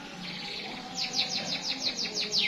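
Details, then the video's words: Singing canary delivering a long, sharp roll: high thin warbling gives way to a rapid series of bright downward-sweeping notes, about seven each second, over a steady low background hum. "Burung Kenari Gacor Roll Panjang"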